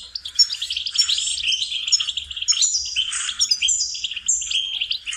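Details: Goldfinch singing for songbird training: a continuous, lively stream of high, tinkling twitters and buzzy trills with quick pitch jumps, steady and unbroken throughout.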